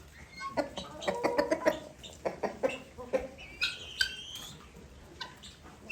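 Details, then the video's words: Guineafowl kept separated after fighting with newly bought guineafowl, making noise: a run of sharp, rapid clucking calls in the first half, then a higher rising screech near the end, with rustling and flapping. "Guineafowl separated because of fighting new Guineafowl I bought and making noise"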